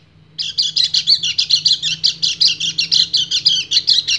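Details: Breeding male white-eye, kecial kuning, calling a female with an ngebren song. After a quiet start a rapid string of high, rhythmic chattering notes begins, about four per second, and keeps going without a break.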